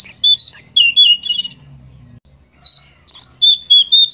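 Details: Pied triller song used as a lure to prompt a bird to sing: bright whistled notes and short chattering phrases for a second and a half, a pause, then clear whistles repeated roughly every half second.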